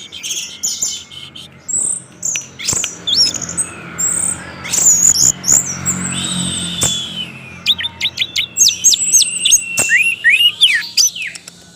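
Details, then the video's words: Orange-headed thrush in lengthy 'gacor teler' lure song aimed at making other orange-headed thrushes sing; varied whistles and slurs early, later a quick chattering train of sharp notes and rising whistles. "ANIS MERAH Macet Bakalan Ikut NGeplong bahkan Teler Dengan Suara Ini, Kecuali ANIS MERAH Betina"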